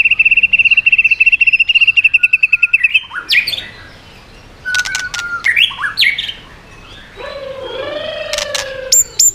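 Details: White-rumped shama singing in a 'swallow-ringing' style with rapid voice switching and tail flicking, meant to provoke other birds: a fast train of identical notes repeated about twice a second, then varied whistles, upslurs and sharp high chips.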